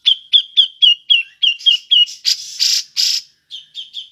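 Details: Black-crested bulbul call used as a lure for other birds; a fast series of short, slightly downslurred whistled chips, about four per second, broken by harsh rasping bursts, then more chips.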